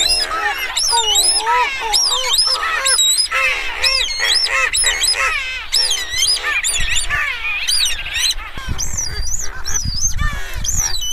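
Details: Streaked shearwater calls and song, a dense chorus of bending, wailing notes rising and falling in quick succession, many overlapping voices with rich harmonics and a steady low rumble beneath.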